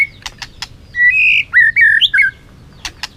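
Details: Competitive song of a white-rumped shama that is flicking its tail. A run of clear, slurred whistles bends up and down, framed by crisp clicking notes at the start and end.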